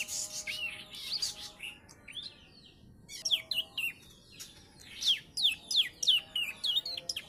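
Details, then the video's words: A Bar-winged prinia about three months old, taught ciblek song, sings soft twittering phrases, pauses briefly, then delivers a rapid series of loud, sharp descending chirps. A low constant hum runs underneath. "PRENJAK PAUD USIA 3 BULAN. ISIAN CIBLEK BOSQUE !"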